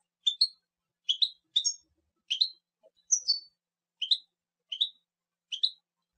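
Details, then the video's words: European goldfinch giving eight separate short, high twittering calls, each a quick double note, spaced about half a second to a second apart against silence. "Carduelis carduelis"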